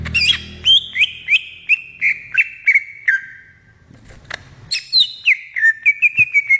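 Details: Greater green leafbird in the wild singing a chain of slurred whistles that descend in steps, a short pause with a thump, then a second falling series of quick whistled notes.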